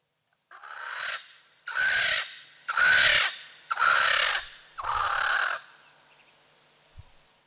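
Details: Swainson's Spurfowl at Rosie's Pan on a still afternoon gives five loud, harsh, grating crows, each under a second long and coming about once a second, in an otherwise quiet setting.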